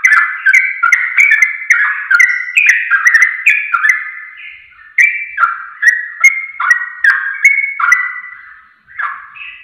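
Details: Sooty-headed bulbul lure recording intended to prompt fast singing. Nearly continuous chattering song of short, cheerful, descending whistled notes, dense at first and slightly slower later.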